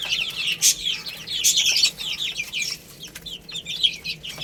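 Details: Baby hens pecking at rice fill the air with rapid high-pitched cheeps, clustered in bursts, some notes sliding downward, amid scattered clicks.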